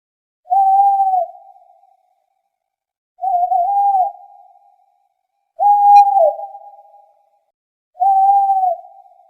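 An owl gives four steady, mid-pitched hoots, each held about half a second with a fading tail, spaced roughly two and a half seconds apart; otherwise silent.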